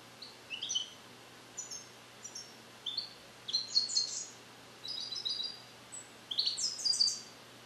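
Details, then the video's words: European goldfinch bred in captivity and song-trained with Neapolitan passages, still learning them, gives a string of short, sharp, high twitters and trills in repeated bursts against a quiet background with a low mechanical hum. "Cardellino Passata Napoletana 2021 - European Goldfinch - Jilguero cante limpio"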